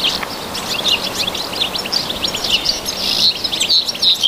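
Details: European goldfinch singing in the wild: a fast, continuous stream of high tinkling twitters and short chirps over a strong steady background hiss.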